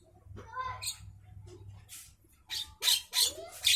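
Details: Javan myna singing at midday: quiet scattered notes over a low steady hum, then loud harsh rasping bursts, three to four in the last second and a half.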